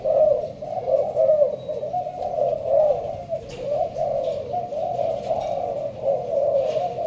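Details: Spotted dove of Malaysian stock, housed in a leaf blind in Binh Duong, Vietnam, giving thúc gù coos in a sparse pattern: rounded, low, rolling phrases following each other closely for seven seconds.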